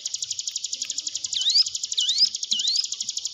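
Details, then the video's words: Hill prinia lure recording for cage-bird training: a continuous high pulsed trill overlaid by three rising, upswept whistled notes spaced about half a second apart. "ciblek gunung diam saja kurang loss mental ciut latih dengan pancingan ini"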